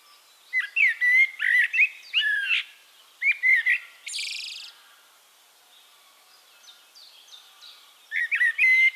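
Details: Eurasian blackbird singing in Castricum, the Netherlands: low, mellow fluted warbles, each phrase ending in a thin twitter. Three phrases come in quick succession, then a harsh burst, a pause with faint distant birds, and a final warbled phrase.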